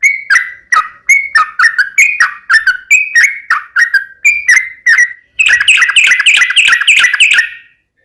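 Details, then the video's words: Sooty-headed bulbul in energetic fighting-style song with rapid uplik and ropel phrasing; loud, bubbly whistled notes repeated in quick bursts for about five seconds, then a denser, faster run of chattering phrases near the end. "KICAU SUARA trucukan gacor TARUNG UPLIK ROPEL TAJAM"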